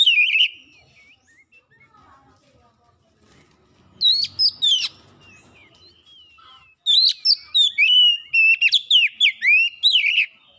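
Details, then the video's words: Oriental magpie-robin song used as a lure to make birds sing fast and show their learned phrases: a loud opening burst, a quiet gap with faint low rumble, then rapid varied whistles and sharp chirps rising and falling. "PANCINGAN KACER CEPAT GACOR LANGSUNG BONGKAR ISIAN"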